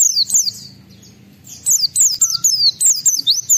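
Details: Oriental white-eye song full of borrowed material, played to provoke other white-eyes into singing: high, sharply descending whistled notes repeated in quick bursts after a short pause, with faint low hum underneath.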